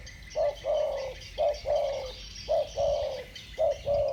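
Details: Spotted doves singing in the 'thổ bầu' voice style, two birds dueling: four mellow coo phrases, each a brief hoot then a longer held note, about one per second, over soft background hiss.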